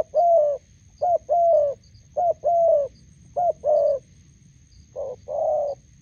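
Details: Spotted dove exchange between a decoy and a wild bird at a roadside in Gia Lai, Vietnam: mellow low coos in short-then-long pairs, five pairs at a fairly regular pace.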